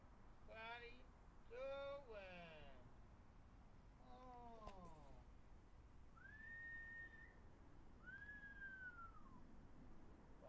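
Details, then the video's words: On a warm, pleasant day before the weather breaks, a pet blue-fronted amazon perched on a backyard tree gives three harsh, speech-like phrases, screaming its name, then two clear whistles that slur up then down, over faint background hum. "My Blue Fronted Amazon Parrot "Clecko" Talking and Whistling"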